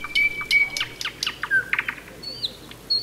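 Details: Thrush Nightingale, the main night singer of May that may sing at any hour: a short burst of clear sustained whistles and rapid dry clicking strokes, ending in a high thin whistled note.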